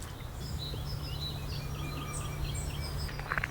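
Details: A woodlark singing high in the sky above a park: thin, liquid, musical notes come faintly through, building into a quick falling run of repeated notes near the end, over a steady low rumble of wind.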